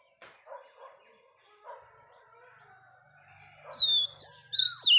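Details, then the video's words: Oriental magpie-robin hen singing to excite males. Soft, low, scratchy notes and a faint drawn whistle come first, then a burst of loud, bright, high whistles with quick upward and downward slurs in the last second. "Choè than mái bổi lên giọng hót kích trống cực chất"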